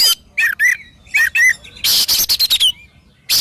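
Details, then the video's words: Oriental magpie-robin song mixing paired rising whistled notes with a burst of rapid harsh rattling notes that ends in a falling whistle, then another loud scratchy note. "SUARA BURUNG KACER GACOR COR"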